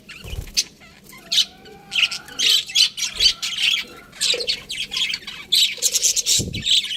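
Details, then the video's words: Several budgerigars chatter in bursts of high, scratchy chirps and squawks, separated by brief pauses, with a faint low hum in the background. "Cute Budgies Chirping Sounds"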